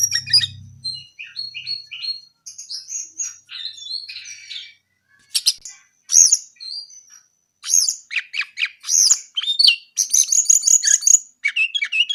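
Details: Brown-eared bulbul delivering a varied sequence: repeated short whistled notes, then buzzy chatter and loud emphatic chirps grouped in rapid bursts, with a short low hum at the very start.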